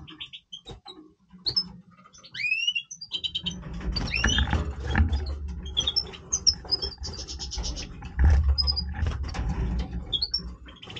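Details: Major goldfinch in breeding voice, singing: scattered twittering notes and gliding whistles high up, over steady low rumbling background noise.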